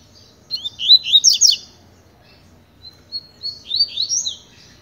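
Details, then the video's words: Double-collared seedeater, a tutor bird singing pure tui-tui style song during training: two bursts of quick, sweeping high chirps and trills, the second softer, separated by a short silent gap. "COLEIRO TUI TUI PROFESSOR TREINANDO"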